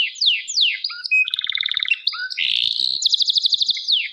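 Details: Caged canary singing splendidly: fast rattling trills and sweeping whistled slides between high and middle pitch, with buzzy pulsed rolls shifting every half second or so; clean recording, no other sounds.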